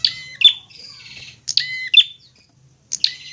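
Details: Tutor recording of a fighting prinia: sharp metallic chips alternate with a drawn-out, rattling buzz, followed by a pause and a further burst of ringing notes.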